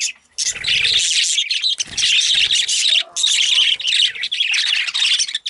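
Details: A flock of excited budgies chatters loudly after a brief quiet start, with rapid high twittering and squawks running throughout, plus a lower, nasal harmonic note near the middle.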